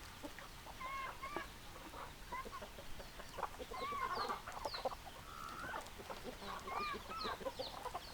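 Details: Several chickens calling together: hens clucking with rising, drawn-out squawks and cackles, many birds overlapping at once.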